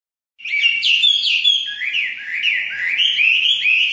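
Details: Chinese hwamei singing, a rich run of loud whistled phrases with slurred notes swooping up and down, several quick rising-falling figures repeated back to back without pause.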